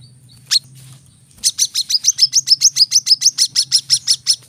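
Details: A single high note, a pause, then a brown-throated sunbird launching into a tight run of sharp, bright chips, about five each second, in the tembakan rapat style used to tutor caged birds.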